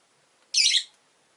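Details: Caged rosy-faced lovebird, an orange-faced green bird among five kept by a window, gives one rasping, noisy squawk lasting under half a second, then silence.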